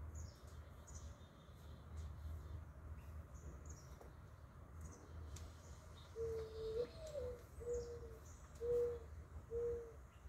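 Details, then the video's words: Mourning dove singing: after several seconds of faint high chirps from other birds, a low, soft cooing phrase begins, a long note swelling upward, then three or four steady hollow coos about a second apart, over a constant low rumble. "Mourning dove part 1. Beautiful bird with a beautiful song."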